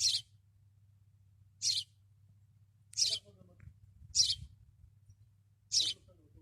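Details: Sparrow singing on top of a caravan in the desert: five short, bright, high chirps spaced about one and a half seconds apart, over a low steady hum.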